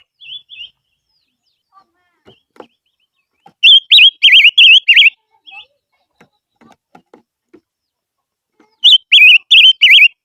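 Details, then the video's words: Barbet delivering lure song: two bursts of rapid, loud, wavering whistled notes separated by several seconds of quiet with faint clicks and taps. "Chim ngũ sắc mồi hót hay// chim ngũ sắc hót kêu mồi chuẩn"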